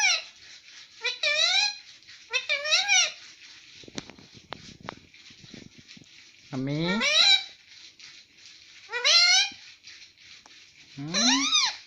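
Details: Pet rose-ringed parakeet indoors saying mummy: repeated rising, harmonic squawked syllables in short bursts, with faint human voice murmuring between them.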